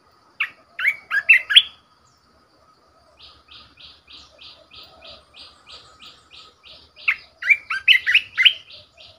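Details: Red-whiskered bulbul kept as a caged decoy bird, singing fluty warbled phrases at start and end, with a series of about fifteen faint, evenly repeated buzzy chirps from another bird in between.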